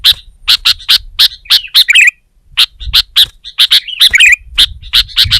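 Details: Sooty-headed bulbul pressing a rival with song, other bulbuls excited into singing; rapid evenly spaced sharp chips broken by two short bubbling warbled phrases, clean background.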